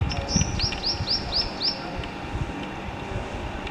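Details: Juvenile black-eared kite just learning to fly from the nest, giving a quick series of about six high, arched, piping notes in under two seconds, over low rumbling background noise.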